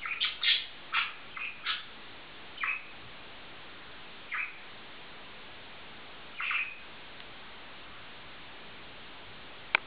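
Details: Two bonded male budgerigars give a quick cluster of squeaky chirps, then single short calls spaced every couple of seconds, followed by a sharp click near the end.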